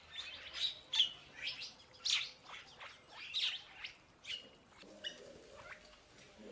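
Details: Purple starling, also called purple glossy starling (Lamprotornis purpureus), giving harsh, high chirping notes about once a second, some paired, fading toward the end while a faint lower hum continues underneath.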